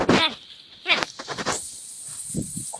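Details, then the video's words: A talking crow in Palghar, India, imitating human words: a harsh, strongly harmonic utterance at the start and a second short one near one second, followed by softer, fainter clicks and murmurs. "Palghar Talking Crow काका बाबा पालघरमधील बोलणारा कावळा पाहिलात का"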